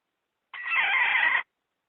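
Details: Chicken hen calling, a lure sound for trapping wild chickens: one rough, drawn-out squawk of about a second, steady and harsh, standing alone against silence.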